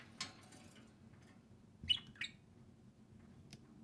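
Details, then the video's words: Two pet parakeets (budgerigars) enjoying time out of the cage, playing and talking; a few short high chirps, two close together near the middle, with faint clicks and steady room hum. "Two social parakeets (budgerigars) play and speak"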